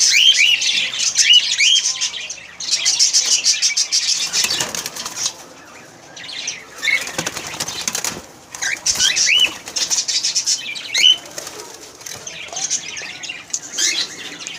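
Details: A flock of cockatiels in an aviary chatters with shrill, rising chirps and whistles over the rustle of wings.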